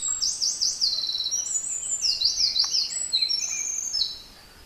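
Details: Eurasian wren in deep beech forest of the Japanese mountains, singing hard: rapid, piercing trills that zigzag up and down in pitch, several bursts in succession, ending abruptly into quiet forest.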